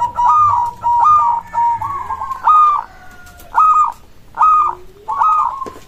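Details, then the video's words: Local zebra dove singing a song said to make other zebra doves answer at once: six short phrases of quick, stuttering, rolling coos at a steady mid pitch, one every second or so, with faint sliding whistles between phrases. "Perkutut lokal suara ini disukai burung perkutut langsung nyaut"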